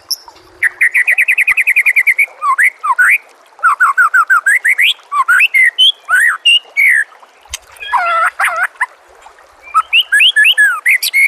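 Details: Rich shama song, loud and varied: a rapid train of identical short notes, then slurred rising whistles, looping phrases and sharp chips, with brief pauses between bursts.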